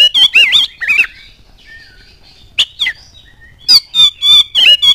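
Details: Oriental magpie-robin song for provoking other birds to sing: harsh chattering bursts at start and end, with soft faint whistles in a quiet middle section.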